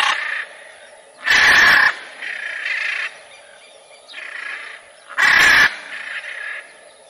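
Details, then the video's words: Harsh macaw screeches: two very loud raucous blasts about four seconds apart, with softer grating calls between them and a thin constant background hiss. "CANTO DA ARARA"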